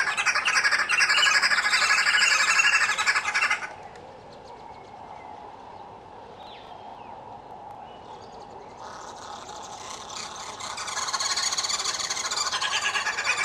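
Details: Red-billed (green) wood hoopoes feeding their chicks and clowning around burst into a harsh, rapid cackling chatter, break into near quiet with faint chirps, then resume the raucous chorus.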